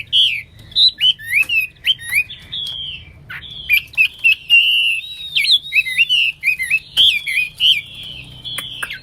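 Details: Hwamei, or wambi, singing a varied medley: short sharp whistled notes and quick slurred phrases, a sustained wavering passage in the middle, then rapid repeated loud whistles, fairly steady and clear.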